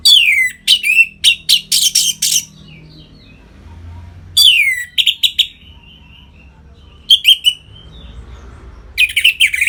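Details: Orange-headed thrush in full song, used to stimulate captive birds into breeding condition: loud bursts of varied whistled and chattering notes, some sliding down steeply, in phrases of one to two seconds separated by short pauses.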